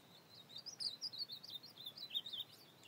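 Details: Night song of an Ultramarine grosbeak in the field, August 2024: a lively run of clear high whistles and short slurred notes strung together without pause, wavering up and down, over a quiet hissing background.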